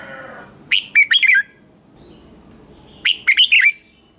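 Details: Red-whiskered bulbul morning song for teaching other bulbuls to sing: two rapid bursts of four or five sharp, slurred whistles roughly two seconds apart, with a faint low hum at the start.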